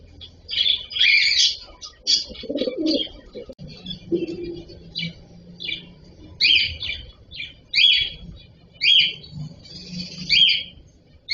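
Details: Cockatiel producing repeated short, scratchy chirps in irregular bursts, about forty a minute, over faint low background murmur and a brief soft coo.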